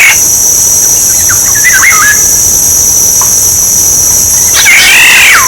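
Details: Black-naped oriole, played as a decoy: a couple of mellow looping whistles early on, then a pause and a drawn-out nasal, wavering note near the end, with a continuous high whine throughout.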